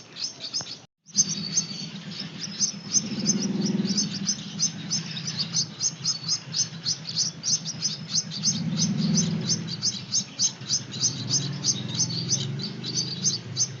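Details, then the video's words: Begging Gouldian finch chicks during hand-feeding: a brief pause, then a continuous stream of shrill, fast chirps, about three each second, above a low droning hum. "Anakan burung Gould Amadine, lolohan burung kecil"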